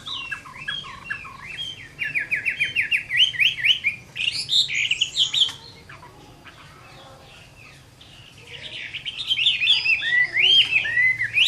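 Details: Caged Chinese hwamei, fighting song on a summer midday: rapid repeated whistled looping notes, then a louder rising flourish, a pause of near silence for a few seconds, and a return of strong, sweeping whistled phrases.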